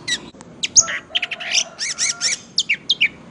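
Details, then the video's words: Orange-headed thrush in energetic song, its singing posture likened to a drunk person's: varied phrases mixing harsh scratchy notes, buzzy chevron-shaped syllables repeated in a row, and short sharp whistles near the end. "Burung Anis merah gacor,teller,ngeplay"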